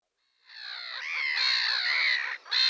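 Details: Red-crested pochard (Netta rufina) giving a harsh, nasal, drawn-out squawk of about two seconds, then a short rasping burst at the end.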